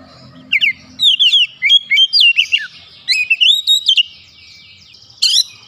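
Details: Oriental magpie-robin (kacer), provoked and emotional, singing its isian: a run of bright, sweet whistled notes rising and falling in quick succession, then a quieter stretch and one final sharp burst.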